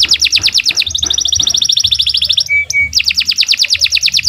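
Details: Canary master song for tutoring young birds: a long fast roll of repeated high notes, briefly broken by a short steady tone, then the rapid roll resumes, with faint low background thumps.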